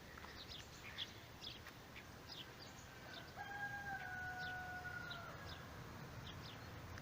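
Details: A distant rooster crows in the morning on a sunny spring day among blossoming cherry trees with bees buzzing nearby, giving one long, drawn-out crow that holds steady, then drops away at the end.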